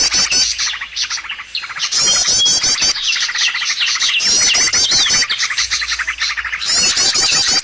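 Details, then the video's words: Lure track of birds used in trapping: repeated bursts of very high, rapid twittering and buzzy trilled notes from many overlapping birds, with brief quieter gaps between the bursts. "SUARA PIKAT BURUNG paling d cari!!"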